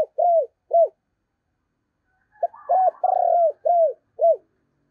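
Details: Decoy spotted dove cooing: two hooked low coos, a pause, then a phrase of short notes with a long rolling coo, all sliding downward.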